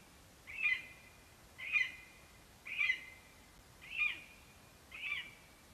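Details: Lesser spotted eagle, a male at the nest on 11 September 2021, calling for his mate after bringing a vole: five sharp, high yelping notes, each with a brief trailing whistle, repeated about once a second against a quiet background.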